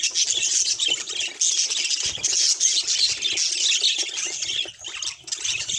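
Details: Rapid, rasping chatter from a budgerigar kept as a pet: quick high chirps at about four per second, loosely rhythmic, forming a rough buzzy warble that softens near the end.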